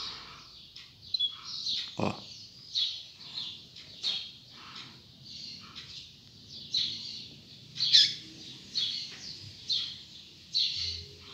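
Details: Double-collared seedeater singing at dawn, a series of short, high, buzzy chirping phrases repeated about every second, with one sharp click near the start and faint low background hum.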